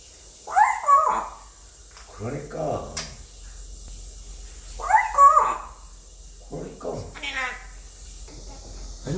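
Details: Indoor male African grey parrot, aged five, practising English: two brief speech-like phrases with tonal, wavering syllables about four seconds apart, alternating with a person talking in between.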